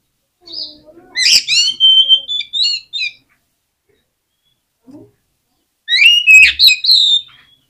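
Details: Oriental magpie-robin singing a lure song meant to provoke other birds to sing: two loud bursts of rapid, harsh chattering notes mixed with rising whistles, separated by nearly three seconds of silence.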